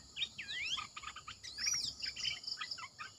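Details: Red-eyed bulbul singing as a decoy bird: jumbled bubbly notes, with a few longer sliding whistles arching high, then clipped chirpy phrases; a steady high electric hiss runs underneath.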